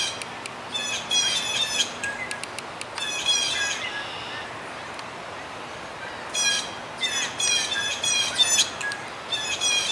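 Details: Blue jays at Dufferin Islands, hopping about and calling to one another, give harsh, grating squawks in quick bursts of several notes, with a pause between two noisy spells of calling; faint background hiss throughout.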